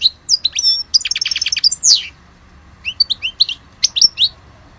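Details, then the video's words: Song of an Algerian European goldfinch: a quick twitter opening into a rapid run of repeated metallic notes, a descending slur, then bright rising chirps. "Le vrai chardoneret de Alge"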